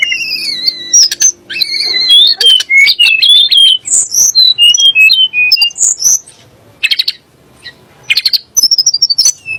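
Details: Sunda blue robin singing, meant to anger magpie-robins and shamas into song: long varied phrase of piercing whistles, descending slurred notes and scratchy chirps, then pauses and short bursts of rapid high ticking notes.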